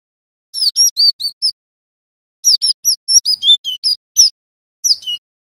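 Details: Male Java sparrow song: quick bursts of high, slurred chirps, with a pause and then a second, longer run, over a quiet background.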